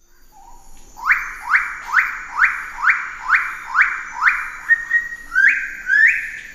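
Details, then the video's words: Pale-billed sicklebill (Drepanornis bruijnii), a bird-of-paradise, gives a loud series of about a dozen harsh, upslurred notes, roughly two per second, the last few higher and more drawn out. "Suara Burung Surga Cenderawasih Paruh Sabit Paruh Putih Pale Billed Sicklebill"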